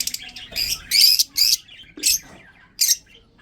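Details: Budgerigars in a breeding setup give short scratchy chirps and squawks in separate bursts, some with a thin whistled note inside, spaced by brief pauses.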